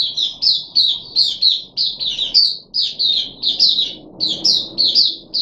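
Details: Puff-backed bulbul kept captive, on the third day of deworming, July 2021: steady, bright, high chirps in twos and threes, evenly spaced, with a short pause midway.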